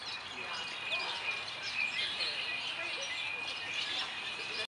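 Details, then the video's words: Baby silkie chicks huddled under a heat lamp at Ardenwood Farms on 25 January 2020, old enough for an outdoor pen; thin, high, wavering peeps rise and fall over a steady hiss, with soft voices faintly behind. "baby silkie chicks under the heat lamp"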